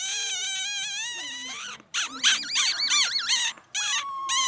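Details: Laughingthrush giving a rich, warbling song. Long wavering whistles lead into rapid looping phrases that rise and fall, followed by a level held note.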